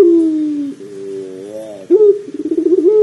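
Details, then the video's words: Pelung dove call used to get a dove calling: a falling held note, a soft wavering tone, then a sharp onset with quick pulsed trilling that settles into a steady coo. "PANCINGAN PUTER PELUNG AGAR CEPAT BUNYI"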